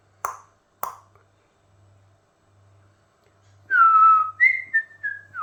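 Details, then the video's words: Talking pet Amazon parrot, a little bit crazy, indoors: two sharp clicks, a pause, then a run of clear whistled notes that slide downward and step between pitches. "Talking Amazon Parrot Gadajaca Papuga"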